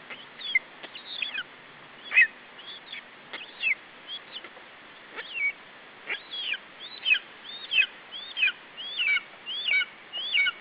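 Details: At an Estonian nest on 21 July 2012, a lesser spotted eagle chick guards its food against the male parent. High thin whistles slide downward, scattered at first, then bunching into a denser, faster run of yelps toward the end.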